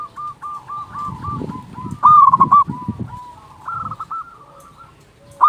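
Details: Several zebra doves of local stock, recorded to lure doves and rouse quiet ones: overlapping soft trilled coos throughout, one loud burst of quick repeated notes in the middle, and low rumbling background noise.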